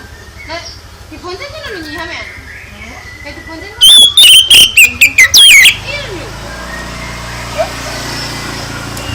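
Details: Oriental magpie-robin song meant to make other birds reply. Human speech and low rumble come first, then a loud two-second burst of ringing whistles and harsh chips. Faint background chatter follows.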